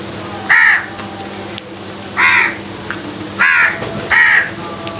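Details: Crows fighting for food call with four strident, hoarse caws, the last two close together, against a low steady background hum.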